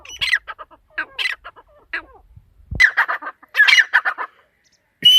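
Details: Calls of a female teetar partridge come in harsh, grating bursts of several notes, separated by short pauses, with a sharp high note at the close.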